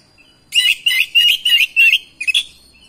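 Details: Oriental magpie-robin answering another bird within seconds and singing hard: six loud, bright, ringing phrases in a row, each a short burst of high whistled and rasping notes, on a quiet background.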